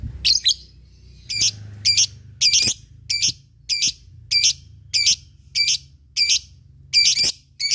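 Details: Lovebird calling, from a recording meant to provoke rivals and train fighting birds: harsh, high squawking bursts repeated roughly every half second to second, with a faint low hum behind.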